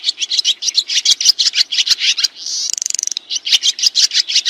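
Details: Rapid high twittering from sriti swiftlets, about three chirps a second, interrupted midway by a buzzy, rattling trill. Used to train kacer and murai birds.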